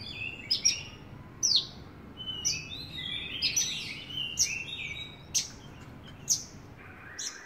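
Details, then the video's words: Javan bush lark delivering varied song, sharp high clicks repeated roughly every second between short whistled phrases and twittering chirps. "Branjangan gacor lark"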